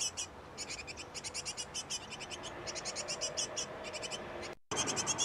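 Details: Great tit pair feeding nestlings at a nest box: repeated short bursts of quick, high, thin notes in steady rhythm, with steady background hiss and a brief break near the end.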